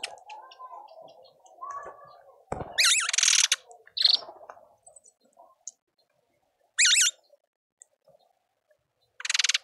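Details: Speckled mousebirds visit a birdfeeder in a Pretoria suburban garden, South Africa. Three or four loud, harsh, quavering bursts of calls, each about half a second long, come between softer background chirping and a sharp click.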